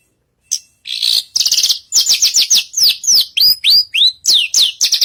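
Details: Javan bushlark (branjagan) singing energetically on a stage: buzzy trilled bursts give way to a steady run of clear, downward-swooping whistled notes, some rising at the end, several per second.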